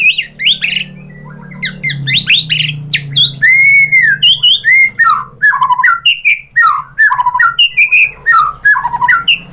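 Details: White-rumped shama singing its varied lure song for prompting other birds: rich whistles, a long arched slur, then a string of quick downward-swooping notes repeated in irregular bursts, with a faint low hum beneath.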